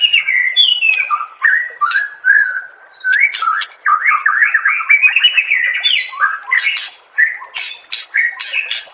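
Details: White-rumped shama song compiled for training other songbirds: a varied, continuous flow of rich whistled phrases and quick slurred notes, rising and falling, broken by sharp high chips.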